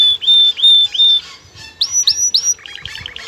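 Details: Aroused male canary courting a female: three clear level whistles, then three sharply rising notes, ending in a soft buzzy chatter.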